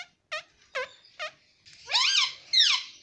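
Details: Pet rose-ringed parakeet (green ringneck parrot) said to be talking "mummy papa": four short nasal harmonic syllables evenly spaced, then a longer harsh, raspy, wavering vocalization in two bursts.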